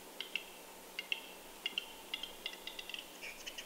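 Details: A lone western capercaillie displaying in falling snow early on a morning in Kuusamo, Finland, 6 May 2021, gives sharp, dry clicks, first in spaced pairs about every 0.7 seconds, then quickening into a faster tapping run; otherwise quiet.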